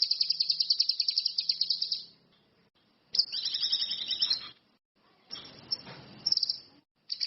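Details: Orange-headed thrush song in energetic bursts: a long, fast, high trill, then a twittering, falling phrase, with a stretch of rough hiss between.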